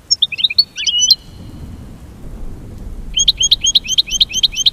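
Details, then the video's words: American goldfinch mating call: an opening jumble of high varied twitters, a two-second gap, then a quick regular string of bright upslurred notes. "The Enchanting Goldfinch Song: Nature's Musical Masterpiece"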